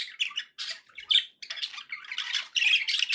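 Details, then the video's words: Budgerigar song from pet birds, a stream of harsh squawky chatter and short chirps in quick bursts, with gaps of silence between phrases. "budgie sounds to encourage your parrot to eat and sing"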